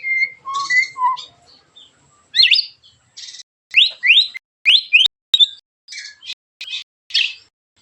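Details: Rough, sharp 'tembakan' song of a white-rumped shama used to provoke other shamas: paired whistles at the start, then loud quick rising sweeps and harsh buzzy bursts with a few sharp clicks.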